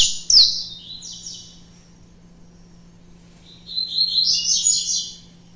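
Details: Pet saffron finch, a mutation bird wary of the phone, sings a short burst of high scratchy notes after a sharp knock, falls silent, then resumes with a rapid twittering phrase.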